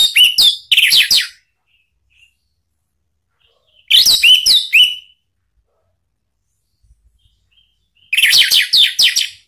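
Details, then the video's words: Ngeplong lure song of an orange-headed thrush, played to make a kept thrush reply: three separate bursts, each about a second long, of quick slurred whistles and sharp chips, spaced roughly four seconds apart. "jangan heran kalau ANIS MERAH mu seketika NYAUT ¦ PANCINGAN NGEPLONG"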